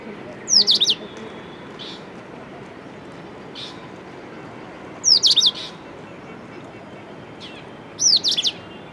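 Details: Indian robin at Victoria Park, Bhavnagar, Gujarat: three short, high, sweeping whistled phrases about three seconds apart, with softer single notes between them over a quiet background.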